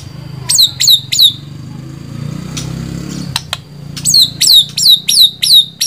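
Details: White-rumped shama calling in sharp downslurred whistles, three in a quick run, then a quiet spell, then five more in succession, over a steady low background hum.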